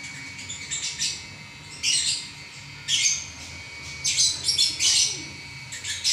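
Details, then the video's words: Lovebird singing continuously, giving spaced bursts of high scratchy chirps and squeaks, louder clusters every second or so over a soft constant hum. "Burung LoveBird Juara Nya Ngacor 11 Menit Enggak Berhenti"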